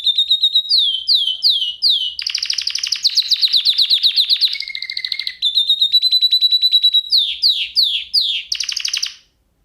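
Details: Singing lesson meant for canaries: a canary delivers descending slurred whistles, rapid rattling rolls, a lower sustained tone, a steady flat trill, then more falling slurs and a final quick roll.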